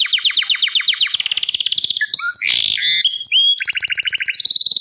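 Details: Gloster canary in full song, rattling off fast high trills, a harsh buzzy burst in the middle, then a pulsed rolling phrase and a final clear repeated note.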